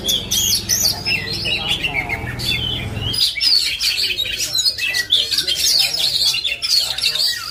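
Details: Oriental magpie-robin (kacer), linked to Indonesia's songbird hobby scene, singing a dense, fast run of varied chirps, whistles and trills; a low rumbling hum fills the first three seconds, then the song continues over quieter background.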